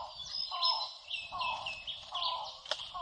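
Cuban trogon giving short, mellow mid-pitched notes about every 0.8 seconds, with higher chirping above and a light background hiss.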